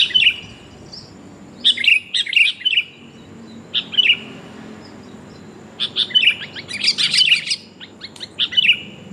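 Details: Calling female sooty-headed bulbul summoning the male, played to lure birds: scattered bright chirps and short warbles, growing into a denser burst of overlapping rapid notes toward the end, then a final single chirp.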